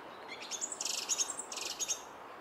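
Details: Song thrush at a Henry Moore sculpture giving very high, rapid twittering notes in two close bursts, the second echoing the first, with steady outdoor background noise.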